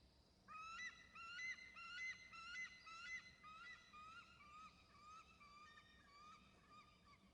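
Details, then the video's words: An eagle flying to its nest with eaglets calls with a rapid string of about a dozen high, thin, squeaky piping notes that slowly drop and fade, over a soft low rumble of wind. "eagle to nest calling"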